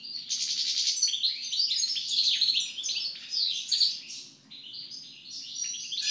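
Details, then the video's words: European goldfinch (Carduelis carduelis) singing after moult: a rapid, unbroken stream of bright, tinkling twitters and buzzy trills, high-pitched and lively, over a faint low hum. "European Goldfinch (Carduelis Carduelis) after moult song."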